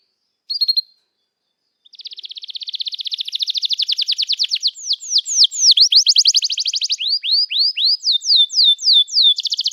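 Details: Canary song used as a lure to prompt young canaries to learn singing, also described as therapy for canaries that stop singing: after a brief opening note, long rapid trills of high chirps, then repeated sweeping downslurred whistles, clean background.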